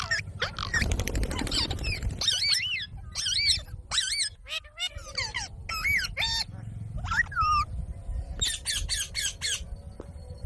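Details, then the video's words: Green parrot talking, "Mummy": broken speech-like phrases of bending, harmonic syllables with gaps between them, a rough noisy stretch at the start and a quick run of sharp ticking sounds near the end. "Green Parrot talking Mummy | Parrot talking mitthu"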